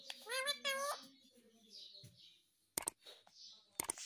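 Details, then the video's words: Pet parrot saying "mummy": two quick voiced, harmonic-rich syllables in the first second, the second rising slightly, followed by scattered sharp clicks and soft rustling in a quiet indoor room. "Mummy Bolne Vala Parrot || Parrot speaking mummy mummy"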